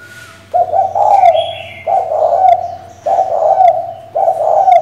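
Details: Female spotted dove calling to a male, used to provoke a decoy bird; low, husky coos repeated about once every second and a quarter, each note slightly wavering and steady in pitch.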